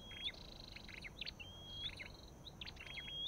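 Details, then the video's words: Three rising whistled slurs from an olive-backed tailorbird (Orthotomus sepium), each set among brisk chipping notes and spaced about a second apart. "Sập đôi đầu đỏ và vành khoen | Orthotomus sepium"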